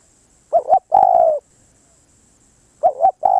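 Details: Spotted dove coo: a wavering two-part note, then a longer level note, followed after a gap by the start of another phrase.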